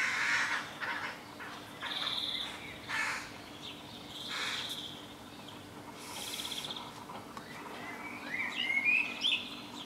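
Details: Young crows in a tree next door among houses; several harsh, scratchy rasping calls come in bursts, mixed with thin whistled chirps from other small birds and a low steady hum.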